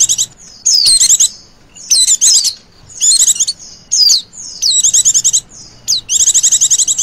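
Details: Lure call of a female Oriental white-eye: short high bursts of fast chattering notes, each often opened by a downslurred whistle, repeated roughly every second in a quiet setting.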